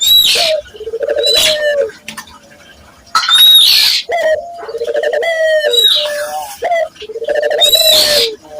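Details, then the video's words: Barbary dove, a local dove cooing vigorously, used as a lure to get other local doves cooing: low rolling coos that rise then hold steady, repeated in bursts, overlapped by sharp high chirps and whistles from other birds. "pancingan burung puter gacor, melatih burung puter lokal agar cepat gacor"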